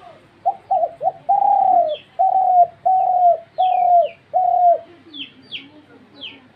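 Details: Dove call opening with three quick clipped notes, then a run of long, throaty, downward-sloping coos about one per second, with thin high chirps from another bird overhead.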